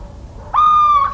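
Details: Single drawn-out hooting note from a Little owl, recorded in rural central France on 17 March 2019. It starts abruptly and holds steady, with a faint upward lift at the end and a quiet backdrop.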